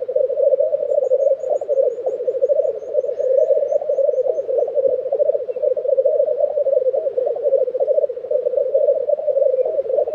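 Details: Black grouse lek in Tiveden, Sweden, April 2023: a steady mass of low bubbling, cooing phrases runs through the whole stretch, while a faint series of very high, thin notes sounds early on.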